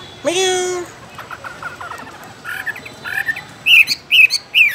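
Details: Chinese hwamei, a caged songbird, giving a drawn-out sliding note, then faint stuttering chips, building to loud, clear whistled phrases repeated about every half second.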